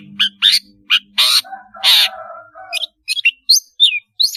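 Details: Long-tailed shrike singing sweetly, used to teach young spotted birds their sounds: rasping broadband bursts and a lower nasal phrase give way to quick high chirps and downward-slurred whistles.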